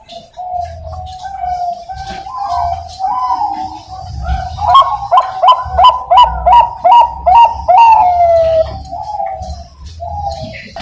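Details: Bangkok-type zebra dove (perkutut), a caged bird from an East Java, Indonesia breeder, hatched 27 September 2022, noted for a powerful voice: soft opening coos build into a fast, even series of about a dozen bouncy rolled notes, then a drawn-out falling tail.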